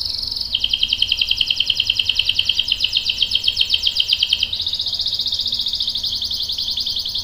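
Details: Lively canary delivering a long roll to prompt other canaries into song; an unbroken rapid pulsing trill lasting seven seconds, jumping to a higher pitch midway.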